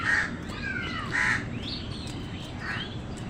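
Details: Crow in a food fight with wild birds: three coarse caws about a second apart, interleaved with thin sliding whistles from other birds against a low outdoor background.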